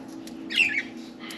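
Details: Pet budgerigars, four birds playing and talking around their cage; one short harsh, warbling squawk sliding down in pitch, over a low steady room hum.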